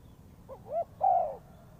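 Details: A single spotted dove phrase used as a trapping lure, a short rising coo leading into a longer, louder steady coo.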